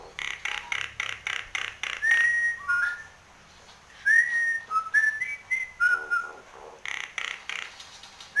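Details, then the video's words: A Nias hill myna in vigorous song with special fill phrases: rapid harsh clapping pulses frame a sequence of sliding whistled notes, including upward slurs and short level tones. "Suara burung Jalak Nias Gacor Mangut manggut Isian Istimewa Teplekan"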